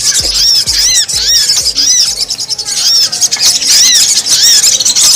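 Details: Brown-throated Sunbird (sogon) in a lure recording for wild sogon: steady run of high, arched squeaky notes about twice a second over soft low thumps keeping the same beat.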